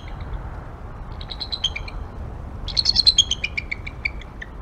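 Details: Pair of bald eagles vocalizing on the Y-branch of their nest tree on a late morning in January, giving thin, high, chattering series of squeaky notes, a short burst then a louder, longer cascading run, over steady low background noise.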